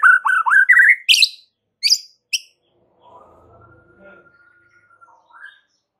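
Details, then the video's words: White-rumped shama tutor song played to make listening shamas answer. It opens with a quick run of rising, whistled notes and a few sharp high chirps, then a long, faint, level whistle with a soft murmur beneath. "7 DETIK AUTO RESPON MURAI BATU ANDA DENGAR MASTERAN MURAI BATU SATU INI"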